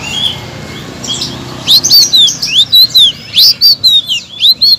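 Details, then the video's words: Blue-crowned laughingthrush used to provoke stalled songbirds: after a soft start, loud high upslurred whistles repeat about every half second, bright and chattering. "BURUNG SELENDANG BIRU BONGKAR BURUNG MACET"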